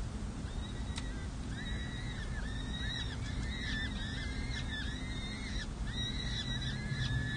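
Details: Four peregrine falcon chicks, six and seven days old, at a nest on San Jose City Hall, California, during a parental feeding on 7 May 2024, captured by a nest camera: continuous thin, arched peeping notes with ringing overtones over steady low rumbling background noise.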